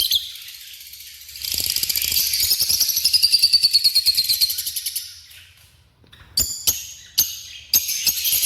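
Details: African lovebirds chatter in a fast, shrill, buzzy stream of high notes, then break off into a few sharp, harsh squawks.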